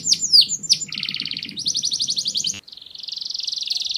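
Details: Canary song with quick high swoops, then rapid rattling trills and a long steady buzzing trill, all high-pitched, with a faint low rhythmic hum under the first part.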